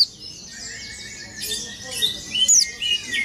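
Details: An oriental white-eye, bill open and rolling its song, gives a thin, high, rapid twitter, with quick rolling trills and bright chirps running together for several seconds, strongest near the end.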